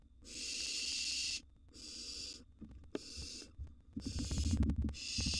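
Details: Nest box of wild barn owls at feeding time, one nestling eating a large gerbil: five long rasping, snore-like hisses, the first over a second long, separated by shuffling and thumps in the box.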